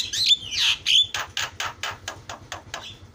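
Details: Javan myna singing a varied song meant to provoke rival mynas: a few harsh, slurred screeches, then a series of short dry clicking notes repeated about three times a second, with a faint low hum behind.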